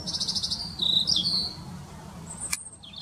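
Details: Robin in a local park, perched in one tree: a rapid trill of high, sweet notes sliding into a falling twittering phrase, then a brief sharp click and a final short high flourish, with a steady low background hum.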